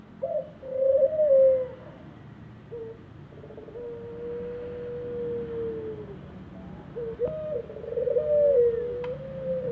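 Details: Ringneck dove in an aviary cooing: a rolling purred opening, a short catch, then a long level coo lasting several seconds, followed by another rippling rolled coo sliding downward.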